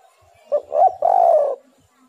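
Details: Spotted dove song used to lure doves into calling. One full phrase: a short clipped note, a quick doubled coo, then a long mellow coo that fades, in quiet surroundings.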